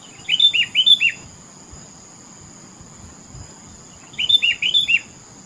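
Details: Sooty-headed bulbul (kutilang) singing in a rural setting: two bursts of four bright, bubbly whistled notes, each falling slightly, separated by about three seconds of quiet, with a steady high insect whine behind.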